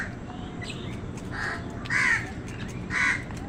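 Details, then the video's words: Crow fighting with other wild birds for food, giving three harsh, rasping caws spaced about half a second to a second apart, the last two loudest, over steady outdoor hum. "কাকের ডাক crow sound"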